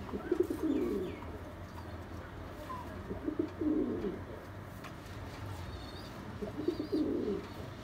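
A Bombay pigeon gives low, throaty coos in short rolling bursts, repeated every few seconds.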